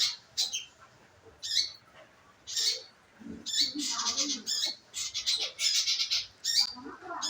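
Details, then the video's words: Shrill scarlet minivet notes used as a lure to get the bird singing: a few spaced sharp high calls, then a tight run of bright chattering notes, with faint low background sounds. "pancingan burung manggaran agar maun bunyi"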